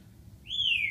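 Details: Male military macaw kept as a pet, indoors: one clear whistled note that sweeps up, then slides slowly downward for half a second, over a low room hum.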